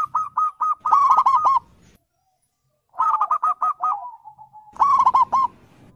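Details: Zebra dove, local and Bangkok birds, calling as a lure: rapid runs of sharp repeated coos in three phrases, the middle one sliding into a long falling trill, light rumble beneath.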